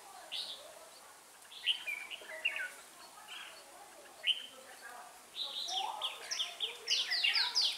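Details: Red-whiskered bulbul kept as a trapping decoy, singing bright warbled phrases that grow into a dense run of quick rising and falling notes in the last seconds, with soft voices in the background.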